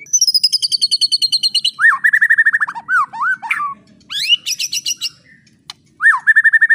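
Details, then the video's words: White-rumped shama singing as tutor material for juveniles: a fast high trill, then rolling mid-pitched whistles, a few sharp slurred notes, a soaring high burst and a final repeated whistled run. "MASTERAN MURAI BATU TROTOL"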